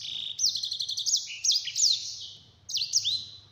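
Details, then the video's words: High, clear-voiced rolling 'ngeroll' song of a yellow-fronted canary, used as a tutor recording: bright whistled bursts with downward-sweeping slurred notes, in three phrases split by short gaps. "Sanger Gacor Ngeroll Suara Jernih"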